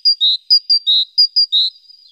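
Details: Great tit active near the nest in the morning, 14 April, nest-box webcam: three crisp two-note phrases in quick succession, each a brief high whistle followed by a longer, slightly lower note, with nothing else audible.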